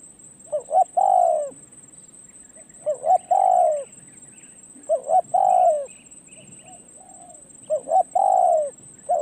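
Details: A spotted dove used for decoy luring coos from a perch. Four phrases of two brief notes and a drawn-out descending coo come every two to three seconds. A constant high insect drone and soft bird twitters fill the background.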